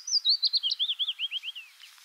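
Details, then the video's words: Willow warbler song, a gentle cascade of about fifteen sweet slurred whistled notes sliding steadily downward in pitch and softening at the end. "طائر نقشارة الصفصاف (تكتك) هازجة الصّفصاف الصُّغرى (معلومات وصوت الطائر)"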